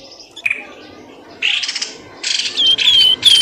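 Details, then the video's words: Lure sound for drawing birds from undergrowth. It opens quietly with a single sharp note, then gives a burst of harsh buzzy chatter, then clipped noisy bursts ending in high, drawn-out falling whistles. "SUARA PIKAT BURUNG pelamboyan ribut"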